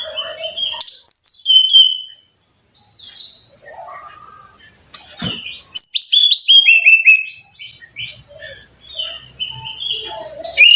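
Brown-chested jungle flycatcher singing a rich, varied song of sweet whistles, slurred rising and falling notes and quick trills in bursts, high-pitched and clear.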